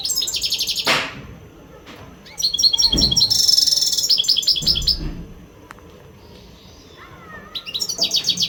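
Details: Powerful readiness song from an untutored caged European goldfinch of the western type: loud, rapid, jangling high twitters in several long bursts, with a brief harsh sweep and quieter gaps between phrases.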